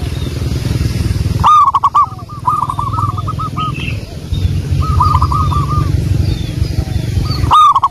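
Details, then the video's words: Vigorous local wild zebra doves in song, recorded for use as a lure. Loud staccato coo bursts open and close the passage. Between them, quieter doves repeat rolling, bubbling coo series, with a low background rumble. "pancingan burung perkutut Lokal alam"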